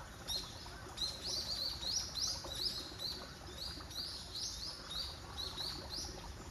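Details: Common kingfisher in the wild at Zenpukuji Park in Tokyo, 3 December, smartphone recording: shrill, high, slightly rising whistles repeated quickly, roughly three per second, some doubled, above a constant hum of background noise.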